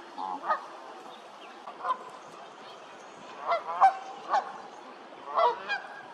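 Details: Irregular nasal honking from a Canada goose, around seven calls in six seconds. A loud cluster of honks falls midway and a double honk comes near the end.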